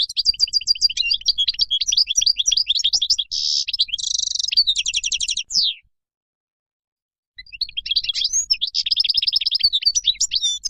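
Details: European goldfinch wild song for teaching young birds: rapid twittering interspersed with harsh buzzy trills and a falling slur, a pause of about two seconds, then more tinkling chatter.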